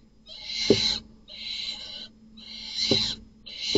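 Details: Nest box at night as a strange male barn owl attacks and kills another male's chicks. Four long rasping hisses, each under a second, in steady succession with brief gaps, with dull thuds in between.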